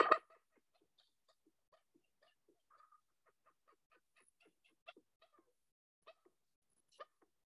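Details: A common gallinule (Gallinula galeata), a very noisy bird of the rail family, gives its most common call: a loud, harsh opening burst, then a loose, uneven series of short clucking notes over about seven seconds.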